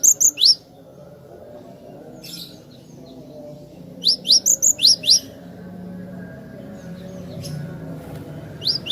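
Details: Actively singing cinereous tit (glatik batu), recorded as clear, long song for training other birds: three bursts of high, rising whistled notes, each of several quick repeats, separated by quiet gaps with faint hum.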